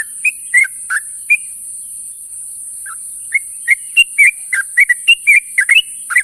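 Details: Sooty-headed bulbul calling companions at morning: a few scattered liquid chirps, a quiet gap of about two seconds, then a quickening run of warbled notes, with steady high hiss throughout.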